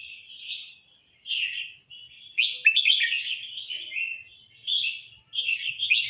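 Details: Red-whiskered bulbul singing at full force: bright, bubbly warbled phrases in short bursts separated by brief pauses, with a denser, more jumbled run of notes midway; no other sounds noticeable.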